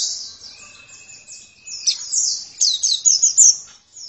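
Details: Rapid high twittering of an oriental white-eye building from soft chatter into loud, quick downslurred chirps near the end. A faint steady thin tone sounds in the first half.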